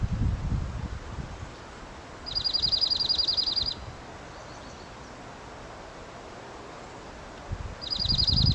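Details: A junco in Seattle gives two high, rapid, even trills, each about a second and a half long, like tiny high-pitched laughter, over low wind rumble.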